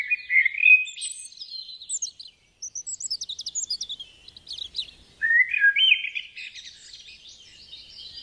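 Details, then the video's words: Garden birdsong of bright chirps and tweets, a quick series of short, sharp, high notes in the middle, then a lower, rolling warbled phrase fading into soft high twittering. "In the Garden - singing Birds"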